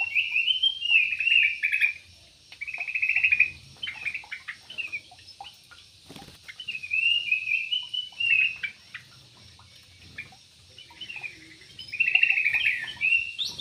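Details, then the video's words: Caged yellow-vented bulbul in an aviary gives bursts of rich, bubbly warbled whistles in chattering phrases about two seconds long, separated by short pauses, with a brief tap or knock near the middle. "BURUNG TRUCUK"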